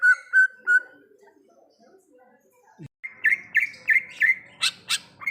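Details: Greater green leafbird singing in the wild: three clear level whistles, a pause, then a string of buzzy rising notes with two sharp high clicks near the end.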